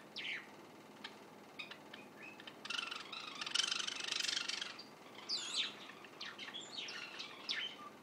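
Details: Young white Java sparrow, a juvenile, secretly recorded while practising its song: scattered high chirps and short rising notes, then a denser burst of busy twittering in the middle, followed by quick sharp chirps.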